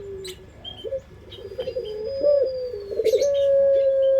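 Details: Puter pelung dove used for luring. Quiet mutters and short notes build into a long, steady, even coo at the end, with brief high chirps from other birds.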